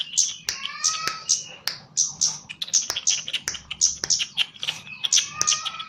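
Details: Singing Javanese chestnut-capped laughingthrush under mental training, pouring out quick high chips and loud snapping notes, punctuated by clear level whistles and short warbled phrases, almost without pause.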